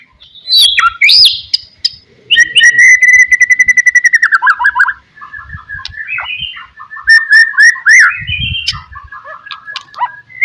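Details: Pastol-style white-rumped shama song to provoke rivals: a long steady rapid trill lasting about two seconds, then lower chattering phrases and slurred whistles, with some low thumping noise.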